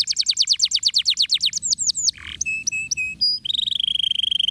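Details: Canary (kenari) lure song for training birds to sing ngeriwik and ngeroll: a rapid series of high descending notes, a brief lower rasp, then scattered sharp chips ending in a fast buzzy rolling trill.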